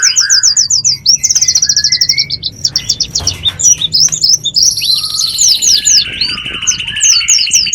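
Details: Wild bird lure: fast rattling series of high chirps, then overlapping twittering and long buzzy high whistles, continuous and dense, with low background rumble.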